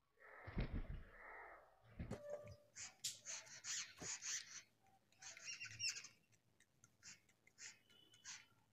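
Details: Jungle babbler mother feeding her baby; after a loud low burst, a run of rapid harsh, squeaky high calls repeated in clusters, the young birds begging while being fed.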